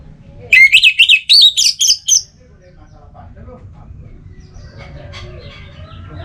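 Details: An Orange-headed Thrush (Geokichla citrina) sings a loud, rapid burst of about eight varied, sweet high notes in under two seconds, followed by faint background chatter and a low rumble; the song is played to spur quiet birds into singing.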